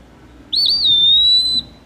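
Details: Eastern Wood-Pewee, a migrant flycatcher noted as nesting later than other migrants, gives one clear, high, slurred whistle lasting about a second, a drawn-out 'pee-wee' seemingly saying its own name, over a quiet background.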